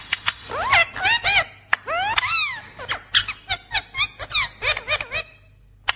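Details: A talking parrot makes a rapid run of squeaky chirps and arched, whistled notes that rise and fall, about fifteen short bursts over six seconds in a quiet room.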